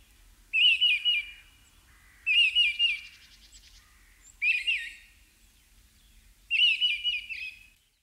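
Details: Mistle thrush recorded with a parabolic dish in German wetlands in early spring sings four short, loud, fluty phrases, each under a second, with pauses of about a second between, against a quiet background.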